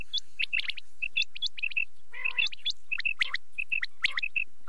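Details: Quail heard at night giving clipped, bright twin chirps and brief rising whistles in quick succession, with one lower harsh rasping note mid-sequence among the overlapping callers.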